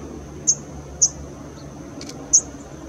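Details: Male Northern red bishop at San Joaquin Wildlife Sanctuary, Irvine, California, June–August 2016, giving three very high, sharp chips, two close together, then one after a pause, over faint steady high hiss.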